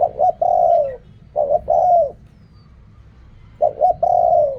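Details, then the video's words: Spotted dove repeating its Thai ok rong style coo three times. Each phrase has two short hoots and a prolonged coo that drops at the end, with quiet gaps between phrases. "เรียกคำ คูคำ อกร่อง เสียงนกเขาใหญ่"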